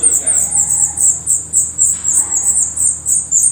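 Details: Portuguese black redstart nest with an unbroken stream of shrill, very high chirps, pulsing about four times a second.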